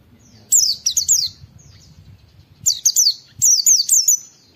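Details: Oriental white-eye giving "wit wit" calls for song training: a quick run of three piercing downward-sweeping whistles, a pause, then a longer burst of five or six similar notes.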